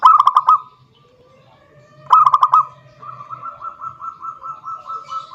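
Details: Zebra dove calling a rival: two fast stuttered cooing phrases, followed by a softer, longer run of evenly spaced pulsing notes at the same pitch.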